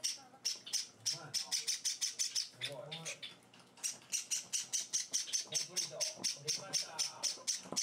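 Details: Hand-fed Java sparrow chicks, four days after arriving home, beg during feeding: rapid harsh high-pitched rasping bursts repeated several times a second, with a short pause midway and a person's soft speech underneath.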